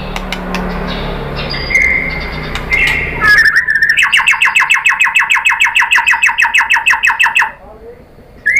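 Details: White-rumped shama song to provoke other birds: soft scratchy notes and whistles build into a long rapid trill of evenly repeated chirps, about three per second or more, then silence.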